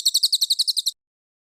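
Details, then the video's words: Short burst of cililin song for training contest birds: about ten sharp, high, quickly repeated chips in under a second, followed by silence. "Masteran Cililin Premium: Suara Gacor Juara untuk Burung Lomba!"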